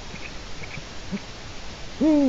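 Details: A Eurasian eagle-owl on a Latvian nest webcam, 4 March 2018 around 16:06, gives one deep, hollow hoot near the end that swells and then slides down, after only a faint background hiss.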